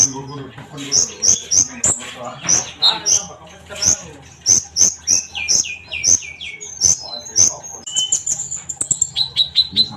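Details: Sunbird, played as a training bird, gives a fast series of sharp, high, ringing chips at a steady pulse. The chips are broken by short descending slurred notes midway, then rapid high trills near the end. Faint speech sits underneath.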